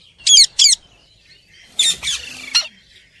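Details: Indian parrot giving two sharp, high squawks, then after a pause a burst of three harsher, buzzy squawks; quiet background otherwise.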